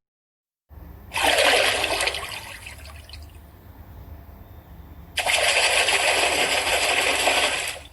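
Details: Silence, then two loud bursts of rushing water like a toilet flush, with no animal sound.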